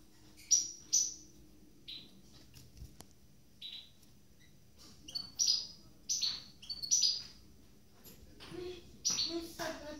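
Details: Freshly moulted captive goldfinch mule, one of two birds: bright, sharp chirps and twittering clusters repeated irregularly, quickening toward the end, a faint click and low hum in the background.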